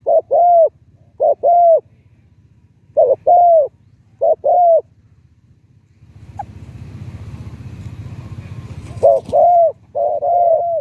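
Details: Decoy spotted dove singing in a medium-to-deep voice style: four paired hollow coo phrases spaced about a second apart, then a rumbling engine-like noise takes over before cooing resumes near the end.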